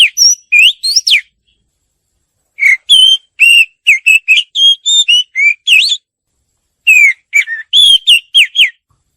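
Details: White-rumped shama song meant to prompt captive birds to sing: bursts of loud clear whistled notes, sweeping up and down, in phrases separated by short silences, with high sharp ticks between whistles.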